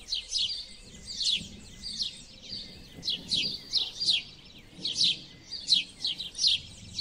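House sparrow chirping: bright, harsh cheep notes between about 2 and 8k, repeated irregularly about once a second, with faint low background noise.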